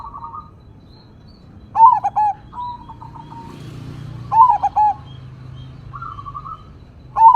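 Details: Zebra dove, crossbred, big-voiced and singing in single vocal style, delivers regular rolling coos with a stuttered ending, each linked by soft level tones, over a quiet low rumble.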